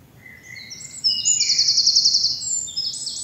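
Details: Spring dawn chorus in a bluebell woodland in the South of England; a loud, rapid, very high trill of evenly repeated notes about a second long, preceded by thin whistles and followed by further chattering phrases.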